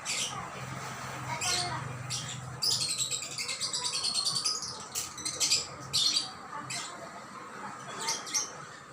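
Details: Bird chirping: bursts of high, thin, rapid chirps and trills, loudest in a dense run through the middle, over a low steady hum.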